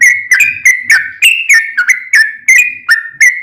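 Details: Sooty-headed bulbul singing a long, lively song used to provoke other bulbuls into answering: a rapid run of bubbly whistled notes near the same pitch, rising and falling slightly, about three per second, with sharp high clicks on each note.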